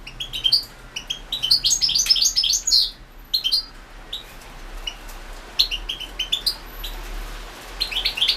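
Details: European goldfinch recorded for the 2016 world goldfinch song championship, singing loose phrases of high, tinkling twitters and chirps with brief gaps between them.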